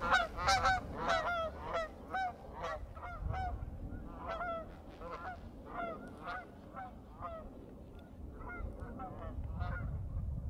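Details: In a frozen marsh in winter, waterfowl fly off into the sunset, giving a dense run of nasal, overlapping honks, close and loud at first, then steadily fading with distance over a low rumbling background.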